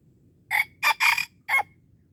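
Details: Red junglefowl from Aceh, a wild bird being lured at Darul Kamal, gives a clipped crow of four abrupt, raspy syllables spread over roughly one second, the third drawn out, against quiet low rumble.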